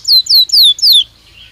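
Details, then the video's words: Belgian canary giving four clear, high whistled notes, each sliding downward and spaced evenly, followed by a faint trailing note. "Som de 1 Hora com Canario Belga Cantando Naturalmente"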